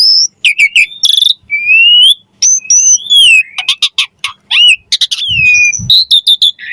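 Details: Javan pied starling song, recorded for training songbirds: high whistles, long rising slurred notes, clicky rapid bursts and buzzy phrases in a varied, fast-changing sequence.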